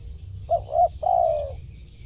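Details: Spotted dove calling, a sound meant to attract wild birds: two short, rounded coos and then a longer, even coo that sinks slightly at its end, over low background hum.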